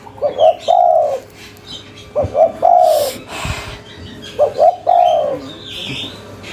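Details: Local Indonesian spotted dove calling in a lively cetrekan style: three cooing phrases, each a short double note leading into a longer drawn-out coo, separated by pauses of about two seconds, with faint background noise.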